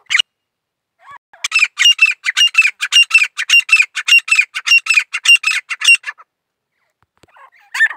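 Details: Grey francolin song as a steady train of loud, rasping, ringing notes lasting about five seconds, framed by a sharp call at the start and another at the end.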